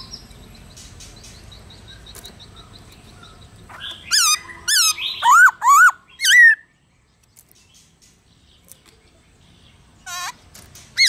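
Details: Black-throated laughingthrush song in forest voice, played to stimulate and train wild-caught caged laughingthrushes to sing. After a quiet start, a burst of about six loud, rich whistled notes with bending pitch, then a pause and one more short whistle.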